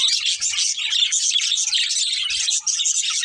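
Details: Breeding pair of budgerigars chirping: dense, continuous high chatter of short warbled and buzzy notes, overlapping calls with few pauses, a couple of faint low knocks in the background.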